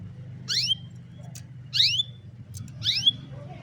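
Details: Canary recorded on a mobile phone giving a sharp rising, slightly buzzy call note, repeated roughly every 1.2 seconds, three times, over a steady low hum.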